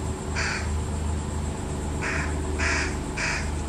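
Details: Parent fish crows tending their fledgling; four short nasal calls, one early then three bunched in the last second and a half, against a steady low drone.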